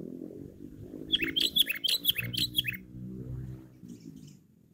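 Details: Sooty-headed bulbul of the cengkram kind, loud and chatty, used to lure birds: a fast sequence of about eight fluty, downward-slurred notes over a steady low rumbling hum, followed by a soft faint chirp.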